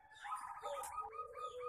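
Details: Zebra dove (perkutut) cooing: a short run of soft, tonal, mid-pitched notes that waver and step slightly downward, delivered in a quick rolling series with no other sounds standing out.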